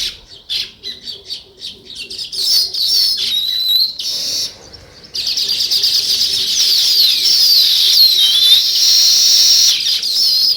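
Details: Several sparrows chirp together, naturally and steadily: fast high twittering notes run into a continuous busy chatter after a brief lull midway.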